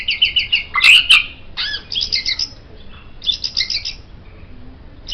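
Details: White-rumped shama, recorded as tutor material for songbirds, giving harsh chattering bursts and rasping trills in short separate phrases.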